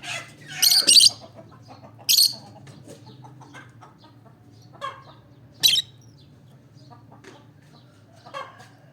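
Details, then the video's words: Chirping olive peach-faced lovebird, several loud, harsh, high screechy bursts in quick pairs early on, then scattered single shrill notes with quieter twittering between, set against a faint low background hum. "Olive peach faced lovebird chirping sound"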